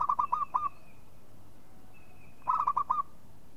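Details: Local zebra dove calling twice, each time a brisk run of mellow cooing notes ending in a longer note, with a faint high whistle from another bird between the phrases.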